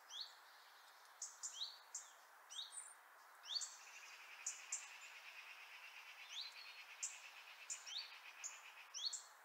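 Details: A European robin (Erithacus rubecula) in Liepāja, Latvia, in January 2023 sings high, thin, liquid notes in quick varied bursts, with a sustained silvery trill running through the middle; little else is heard.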